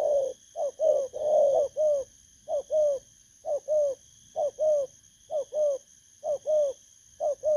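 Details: Spotted dove, wild-caught and newly caged, Vietnam, 19 August 2024. Rapid rolling coos open the phrase, then steady paired low coos follow at about one per second. A faint high electronic tone persists.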